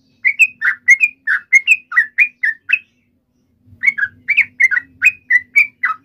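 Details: Yellow-vented bulbul giving a provoked, agitated fighting call: fast runs of short chirpy notes, each rising or falling, repeated about four per second, with a pause of about a second midway.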